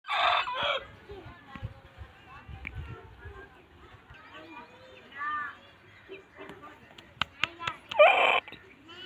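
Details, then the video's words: A rooster gives a loud, harsh crowing burst at the start and another near the end, with softer clucking and chatter between. "murga ki azaan/rooster sound effect"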